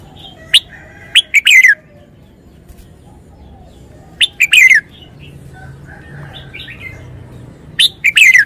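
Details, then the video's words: Caged red-whiskered bulbul performing wild-style song phrases: quick clusters of sharp chirps ending in a rich warbled flourish, repeated three times across the recording, with soft whistled notes in the gaps. "นกกรงหัวจุก 292 เพลงป่า แกนโต"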